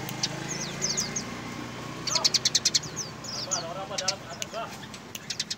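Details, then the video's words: Eurasian tree sparrow singing lively: thin, high chirps and short slurred notes, given in scattered bursts and quick runs of clicks, over a steady low hum and faint background voices. "burung greja gacor"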